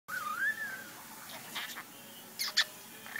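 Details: A young pet male parakeet says his name "Kesha" and "privet" (Russian for hello) in squeaky, speech-like mimicry: a warbling whistled phrase, then a few quick raspy syllables and sharp clicks over faint room noise.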